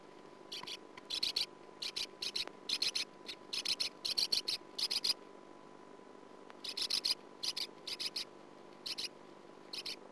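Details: Sand martin calling at its nest, nest camera, 2009: clusters of short scratchy rasps repeated in uneven bursts over ten seconds, each burst of three to six notes, with a faint constant hum behind.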